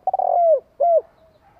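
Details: Decoy spotted dove giving one cooing phrase: a quick stuttered run leading into a long smooth coo that drops at its end, then a single shorter falling coo.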